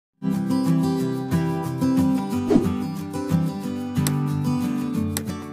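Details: Strummed and plucked acoustic guitar music plays throughout, and no animal is heard.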